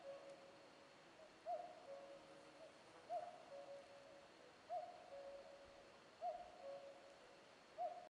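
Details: Common cuckoo repeating its low, soft cuckoo call steadily, roughly every one and a half seconds, each a short higher note sliding into a lower one, heard from a distance in a quiet setting.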